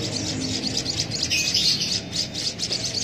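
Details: Javan munia chick being hand-fed with a used straw, giving a thin, continuous high chittering as it begs, with soft low background rumble.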